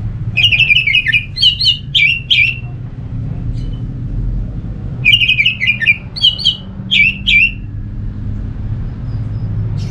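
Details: Orange-headed thrush song used as a lure to make other thrushes sing along: two bursts of quick warbled, trilled notes, each about two seconds, separated by a pause, over a constant low background hum.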